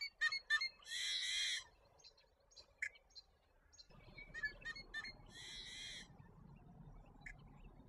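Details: American avocets with chicks in Alberta: two loud, harsh, drawn-out screeching bursts about four seconds apart, interspersed with short sharp notes, against a low rumble in the second half.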